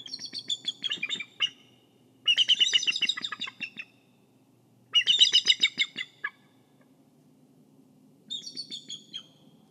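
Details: At a Kisatchie National Forest nest, a bald eagle guarding the egg gives four quick bursts of shrill, stuttering chitters, each a fast run of high pulsed notes falling slightly in pitch, with quiet gaps between.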